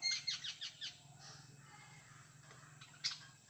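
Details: Jungle babbler in Konkan, India, giving a quick series of harsh, squeaky notes for about a second, then fainter scattered calls and one sharp note near the end.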